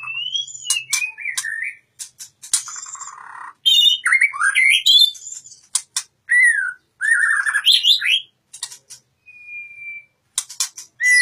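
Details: A White-rumped shama (Copsychus malabaricus) pours out a rich, varied song of fluty rising and falling whistles, with sharp clicks and rapid chattering bursts between short pauses.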